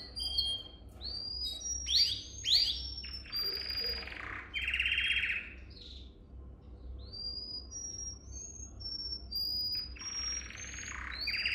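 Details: Canary singing for training young canaries: scattered sharp whistled notes and short buzzy trill bursts, interspersed with brief pauses and thin high whistles, over faint low hum.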